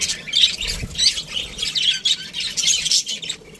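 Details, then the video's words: Several aviary budgerigars give harsh little squawks and high twittering chirps in uneven bursts, with one soft low thump partway through. "Budgies Parrot chirping sounds | Best Budgies Aviary"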